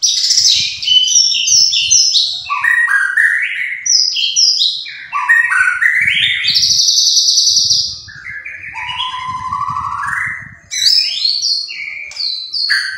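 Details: White-rumped shama, called murai batu, singing energetically: a rich run of loud whistled phrases sweeping down and up, stepped chirps and rising slurred notes, with faint low rumbling below.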